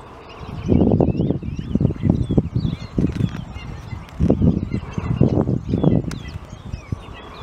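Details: Cape francolin (Pternistis capensis) at Kirstenbosch Botanical Gardens, Cape Town, South Africa, giving loud, harsh, grating cackles in rapid bursts, with thin twittering from small birds in the background.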